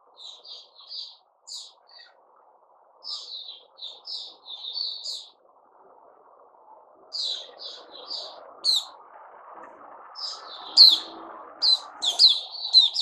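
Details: Caged white-crowned shama (Puteh Raja), new-feather season, September 2021, giving rhythmic series of short whistled notes, then a livelier stretch with sharp high upsweeps, against a rising low hum.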